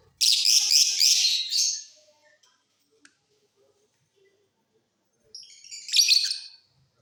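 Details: Off-season song of colour-mutation lovebirds in a flight cage: a loud grating, buzzy chatter for nearly two seconds, several seconds of near silence, then a second shorter rasping outburst.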